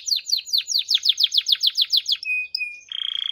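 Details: Canary singing: a fast series of about fourteen descending notes, then a steady whistle and a rapid buzzy trill at the end.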